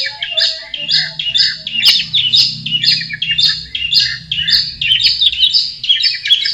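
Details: Long-tailed shrike in its natural habitat repeating a harsh, warbling, chattered phrase about twice a second, with a low hum underneath.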